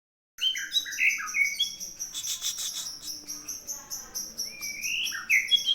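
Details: Aceh-type white-rumped shama singing: clear sliding whistled notes, some rising and some dropping, mixed with a buzzy, harsh, repeated rattling layer high above, the phrases running continuously with little pause.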